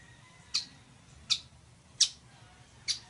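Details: Ploceus cucullatus, the village weaver: four separate scratchy squawks, each brief and noisy, roughly one every 0.7 seconds, with a quiet low hum beneath.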